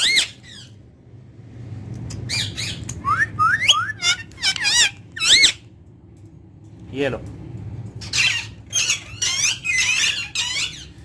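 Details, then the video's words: Pet ringneck parakeet speaking Urdu and Hindi: two long bursts of rapid, high, harmonic syllables with pitch swoops, split by a quiet pause around the middle, over a low room hum. "Ringneck Talking Parrot Speaking Face To Face In Urdu Hindi"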